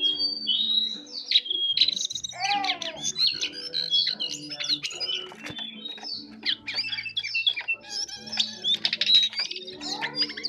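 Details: Jongkangan bird in full, lively song, soft twittering delivery: long run of high chirps, rapid buzzy trills and downward-curving whistles, varied and continuous, over a constant low background hum.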